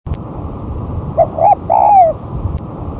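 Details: Spotted dove lure song, recorded after a month of moulting as the bird is tried on the ground: one three-part phrase, a short low coo, a rising note, then a long coo slurring downward, over steady low rumble and hiss.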